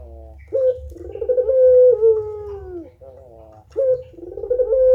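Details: Puter pelung turtle dove cooing vigorously: a short upward note, then a long, level, droning coo that slides slightly downward, then a fresh coo begins, over a low steady hum.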